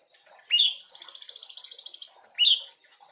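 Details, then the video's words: Sooty-headed bulbul (cungkok) song used to train songbirds: a rising whistled note, then a long rapid buzzy rattling trill over a second, then another rising whistle. "Cungko gacor cor isian mewah, untuk masteran burung juara,bunyi siang malem"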